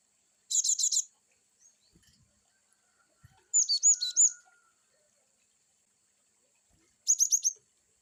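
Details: Varied wucit chirps from a cinereous tit (gelatik batu): three fast bursts of bright, high, repeated notes spaced about three seconds apart, the middle phrase longer and more slurred; near-silent between phrases.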